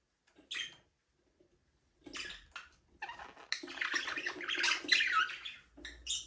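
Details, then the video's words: Budgies flying free in a small aviary give soft scattered chirps, then a denser stretch of overlapping scratchy warbles and chatter, followed by a brief quieter gap. "Budgies parrot #chirping sound"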